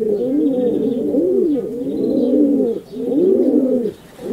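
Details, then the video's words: Pigeon cooing: a continuous low, throaty series of rolling coos in overlapping arched phrases, each roughly a second long, with brief pauses near the end and faint higher chirps in the background. "Pigeon Sounds"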